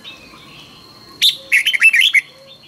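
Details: Red-whiskered bulbul in morning training song: a loud opening note followed by a quick, bright, bubbling phrase of about six warbled notes; faint background chirps.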